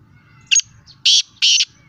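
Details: Black francolin, known locally as teetar, giving loud harsh grating notes: one short burst, then two longer rasping notes about half a second apart, with a faint low rumble beneath.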